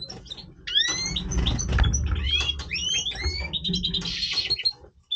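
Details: European goldfinch of the major form singing its breeding song: bright upslurred whistled notes and quick tinkling twitters rising high, delivered in a rapid burst over a low background rumble.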